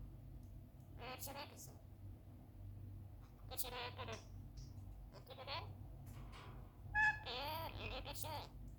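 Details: A pet lorikeet talking: it chatters in short, speech-like bursts with a few shrill squeaks near the end, over a steady low hum.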